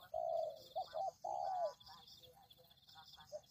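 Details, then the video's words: Spotted dove cooing for a bird lure: a long mellow coo, two short quick notes, then another drawn-out slightly falling coo, followed by quieter fading sounds. "Pikat Tekukur"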